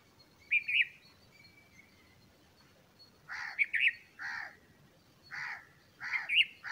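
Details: Bulbul feeding its growing chicks: a pair of bright, warbled chirps early on, a quiet gap with a faint thin note, then a run of five or six loud, buzzy chirps spaced about half a second to a second apart.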